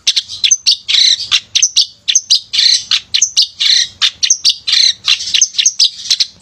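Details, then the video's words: Male long-tailed shrike, a lively singer used to provoke lazy shrikes into singing, delivers a dense, rapid stream of harsh chattering notes and high squeaky whistles in bursts, packed with varied phrases, barely pausing throughout. "Pented Gacor Cocok Buat Pancingan Pented Yang Malas Bunyi"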